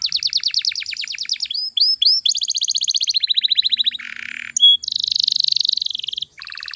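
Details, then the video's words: Song of a canary played to stimulate young canaries to sing: rapid rolling trills of swept notes, then chirps and a lower buzzy rattle, ending in a dense high rolling trill. "PANCINGAN KENARI BAHAN AGAR CEPAT GACORR"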